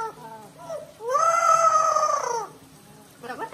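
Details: Pet Amazon parrot protesting a bath with one sustained, nasal, harmonic wail lasting over a second, steady in pitch before dropping away, framed by short softer whimpering notes before and after.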